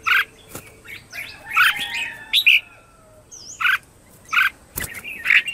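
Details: Red-whiskered bulbul morning song used as a lure to call in wild birds: short loud warbled phrases with sharp note clusters, separated by brief pauses, with faint thin whistles between.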